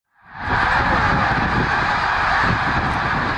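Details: Snow geese, a huge migrating flock of tens of thousands, at Middle Creek, Pennsylvania, in 2023, heading back north. The chorus swells in within half a second into a dense, continuous roar of overlapping nasal honks that never lets up.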